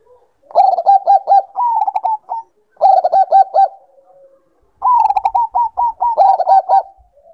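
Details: Zebra dove of the Bangkok type in breeding condition, calling in three phrases of rapid, stuttering, rolling coos, each ending in a higher-pitched run of clipped notes, with quiet pauses between.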